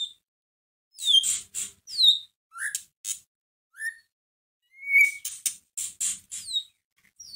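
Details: White-rumped shama song used as a lure to stir a sluggish shama into singing: sharp whistled slurs mixed with harsh, scratchy bursts, delivered in short phrases with brief pauses.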